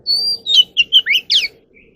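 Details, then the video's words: Caged Oriental magpie-robin singing for voice training: a long level high whistle, then quick upslurred and downslurred notes in close succession. There is a faint low hum beneath. "kacer alam | choè than luyện giọng || Choè than kích bổi ra giọng เสียงนกกางเขนบ้าน"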